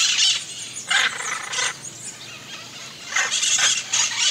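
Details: Hyacinth macaws screeching in harsh bursts, a few loud grating calls clustered at the start and again near the end, with a quieter outdoor stretch between.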